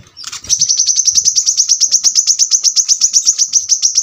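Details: Continuous tight trill of piercing high notes from a brown-throated sunbird, evenly pulsed and sustained for nearly four seconds after a brief rising lead-in.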